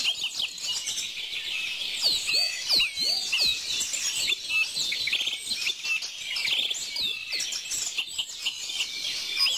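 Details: Birds chirping busily: fast high tweets and short sweeping notes from several birds crowding together, over a faint steady background hiss.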